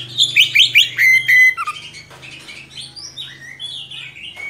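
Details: Oriental magpie-robin in strong, long-rolling song, offered as a tutor recording for young birds: rapid sharp chirps and rising whistles, then slurred whistled notes and varied trills, over a faint low hum.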